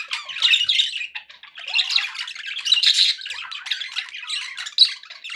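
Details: Several pet budgerigars making happy sounds indoors: dense, continuous scratchy warbling and chattering with bright squeaky notes, rising and falling in busy bursts with barely a pause.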